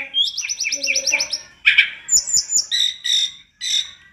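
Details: Tledekan gunung singing actively in a master recording used to train other birds: a fast string of bright trilled notes, a harsh burst, then high whistles and buzzy phrases, rich in fill notes.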